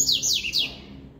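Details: Double-collared seedeater singing in a regional-song contest: a quick phrase of high, clear whistled notes, each sliding downward, three slurs in about three-quarters of a second before fading out.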